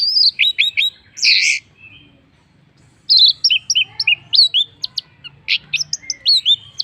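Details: Orange-headed thrush in graceful song used as a lure for other birds: dense sequences of varied high whistles, sharp chips and slurred notes in two long bursts separated by a short pause.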